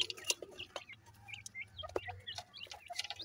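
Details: Grey francolin chicks give rapid, high peeps and short slurred chirps with no steady rhythm. Sharp clicks and a low hum are also heard.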